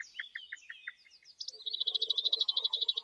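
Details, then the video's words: Bird singing in the wild: a series of sharp repeated chip notes, then a fast, loud, even trill of buzzy high notes repeated several times per second, with lower chattering underneath. "suara merdu burung dialam"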